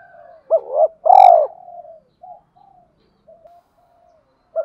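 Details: Calling to provoke a rival, a male and female spotted dove give two arched low coos and a long loud rolling note, then soft fading coos and one last hoot at the end.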